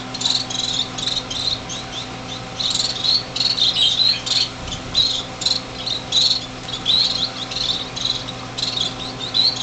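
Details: Six fledgling finches making plenty of noise in a greenhouse on the day they left the nest, January 2007: rapid, near-continuous high chirping in ragged bursts, with a faint low hum.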